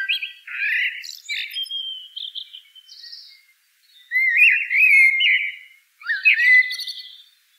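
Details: Common blackbird caroling: a rich warbled opening, then scratchy high notes, a gap, and another fluty rolling phrase with a squeaky tail; nothing else audible.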